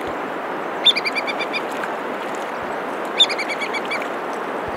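Ibisbill giving two quick bursts of high, ringing piping notes, about seven or eight per burst, over a steady rush of rushing water.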